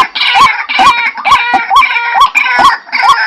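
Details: Repeated croaking 'kru-ak' notes from a white-breasted waterhen, about two each second, each with a short upward hook. A rough, buzzy overtone and crisp clicking sounds run beneath the calls.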